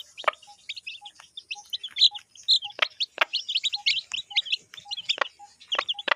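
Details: Village hen with chicks eating: dense high chirping, frequent sharp pecks, and a soft low beep repeating about every half second.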